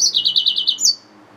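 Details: Yellow-fronted canary mule, a hybrid finch, singing a brief phrase: six quick chirping notes repeated evenly at a high pitch, then a single sharp rising note before the song breaks off into quiet.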